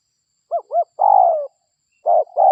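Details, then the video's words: Local spotted dove, known as derkuku, on a recording used to lure wild doves: two rounded looping notes and a long falling coo, followed by short husky coos. "Pikat Suara DERKUKU Lokal Gacor"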